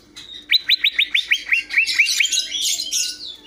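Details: Greater green leafbird singing: a quick series of about ten clear whistled notes, each dropping sharply in pitch, followed by a burst of busy, scratchy warbling.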